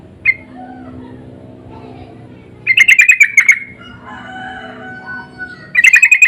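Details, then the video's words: Yellow-vented bulbul lure calls with answering birds, loud and insistent: a single sharp note, then two bursts of rapid rattling chatter several seconds apart, with faint softer whistles between. "Pancingan dan panggilan burung trucuk saling bersahutan❗suara ngotot"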